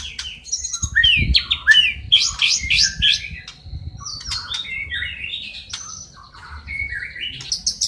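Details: White-rumped shama in full, constant song, filled with sparrow, lovebird-fight and kapas tembak phrases. Quick varied whistles and slurred chips run on, loud at first and softer later, with low background rumble.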